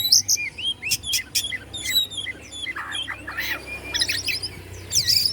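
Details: Oriental magpie-robin in Bandung, Indonesia, singing to stir up other magpie-robins: rapid high notes, clipped whistles and a burst of trilled, chattering phrases, with a steady low hum behind.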